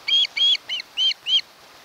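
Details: Osprey at its nest on Kent Island, Maryland, filmed by a nest camera in early August 2018, giving five loud, whistled chirps in an uneven rhythm, the first two longer, then silence.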